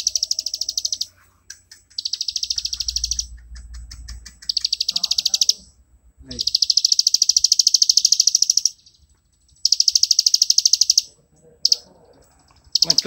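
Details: Plain prinia, a rice-field bird, singing rapid 'ngebren' song used as a tutor for cage birds: six bursts of fast, even, high buzzing notes separated by short silences. Faint low rumble and rustles lie underneath.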